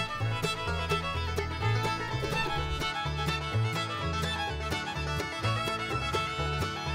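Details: Lively fiddle-led string music with a steady bass line and plucked accompaniment in a bluegrass style plays throughout, with no animal voices.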